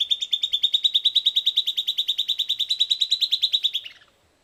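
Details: A Silvered Antbird (Sclateria naevia) sings on 18 January 2015 after approaching in response to playback, recorded close, perhaps two to five metres away: a fast, even run of about thirty high chipping notes, eight a second, rising slightly before a short falling finish.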